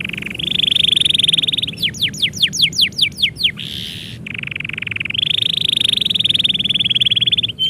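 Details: Singing canary, heard when its owner is about to leave: long high buzzing trills broken by a run of fast falling whistled notes and a short rasping section, with constant low room noise beneath.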